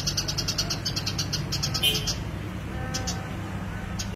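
Eurasian tree sparrow gives a fast run of dry chirps, about seven a second, then a few scattered chirps over a steady low hum.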